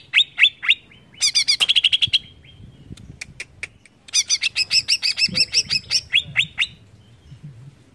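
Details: Greater green leafbird song used to provoke other birds into reacting, a lively stream of high whistled downslurs and rapid chattering trills in bursts, with a short pause mid-phrase.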